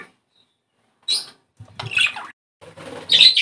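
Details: Budgerigar chatter used to stimulate breeding: short separate bursts of scratchy squeaks and chirps with silent gaps between them, growing louder and denser toward the end.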